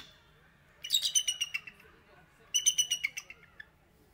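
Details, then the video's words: Bald eagles calling: two bursts of fast, high, rattling chatter, each about a second long and fading out, separated by a short pause, with low background murmur. "Bald Eagles Calling"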